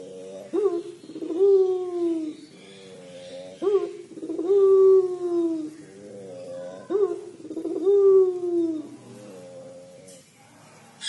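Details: Puter pelung collared dove in 'crying' mode: three full cycles of a quick rising note, then a prolonged, deep, slightly descending coo, spaced about three seconds apart, ending in quiet.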